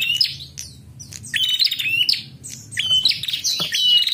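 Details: Female prinia calling to lure males: sharp chirps and short buzzy trills in several quick bursts over four seconds, with a faint low rumble underneath.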